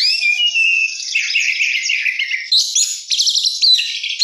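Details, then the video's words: Kacer song, gacor with isian fill-in: smooth varied whistles and warbles that give way to a burst of rapid pulsed trilling and squeaky notes. "kacer gacor isian mewah"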